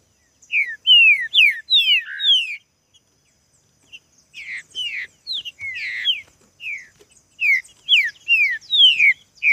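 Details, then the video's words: Green-winged saltator singing hard during a contest, with loud phrases of clear, down-slurred whistled notes given in fast groups of three to five, separated by short pauses and soft chirps. "Trinca ferro na disputa"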